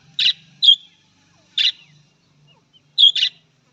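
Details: Budgerigar, Australian parrot, giving loud buzzy chirps, some single and some in pairs, at intervals of about a second.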